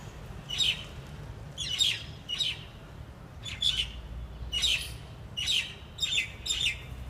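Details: A group of jungle mynas gathered to eat their favorite food, giving short harsh, scratchy calls in quick pairs and bursts, roughly one burst every half second to second, over a low steady background rumble.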